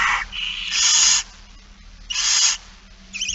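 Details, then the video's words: Barn owl begging at feeding time, afternoon of 8 September 2019: two long, loud, breathy screeching hisses about a second long, separated by near-silence, with a third starting at the end. "Kerkuil It Fryske Gea 2019 09 08 16 02 voedering"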